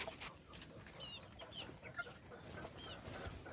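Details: Young chicks during feeding, giving a few thin, high peeps that arc down and up, scattered over a soft background of clicks and rustling.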